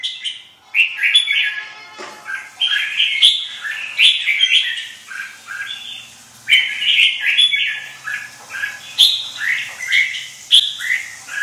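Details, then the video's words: Caged red-whiskered bulbul, white wing feathers, in full song: loud bright chirpy warbled phrases repeated every second or so, with short squeaky notes between. "khủng long 01 lông cánh trắng vào lửa"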